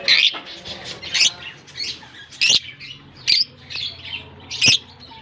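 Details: Colony lovebirds in Germany at the start of summer season, just released; loud harsh squawking chirps every second or so, with quieter chattering between.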